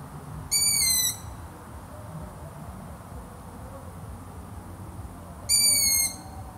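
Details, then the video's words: Long-eared owl giving two clear, high whistled calls, each a slightly falling note with bright overtones lasting about half a second, spaced about five seconds apart over a soft, steady background hiss. "LONG EARED OWL | SOUNDS THAT WILL MAKE YOU FALL ASLEEP"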